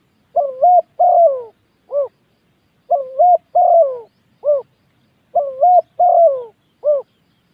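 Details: Spotted dove used as a ground decoy bird sings three identical three-part cooing phrases, spaced about two and a half seconds apart: a dipping coo, a long falling coo and a short final note.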